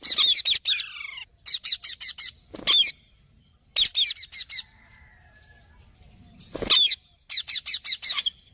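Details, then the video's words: Repeated series of strident squawks from a green parrot, grouped in runs of four or five, interrupted by single loud screeches and quiet spells with faint thin tones. "Mithu Ki Awaj"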